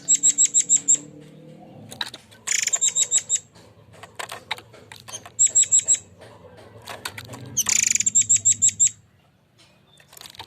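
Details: Forktail in full song, a lure recording of the rough 'shooting' style: bursts of five to seven sharp, very high ticking notes in quick series, repeated every two to three seconds, with faint buzzy rasps between.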